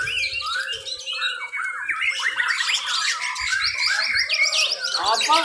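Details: Several white-rumped shamas sing against each other at a class B contest in Mimika, Papua, Indonesia, layering rapid descending whistles, buzzy trills and chips into a dense, unbroken chorus with occasional low thumps.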